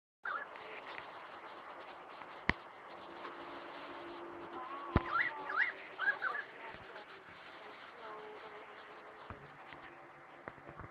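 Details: During a small rain shower of about 0.75 mm, a currawong gives a brief run of ringing, swooping whistled notes midway through, over steady rain drumming on a tin roof.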